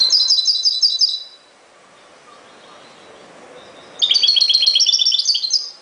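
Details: European goldfinch singing: two bursts of rapid, high tinkling twitters with liquid trills, the first about a second long, a second richer phrase after a three-second pause, quiet hiss between.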